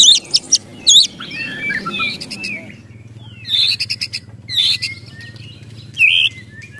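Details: White-rumped shama in emotional ketrekan mode: a couple of sharp whistled notes, then spaced bursts of buzzy rattling every second or so over a quiet low hum.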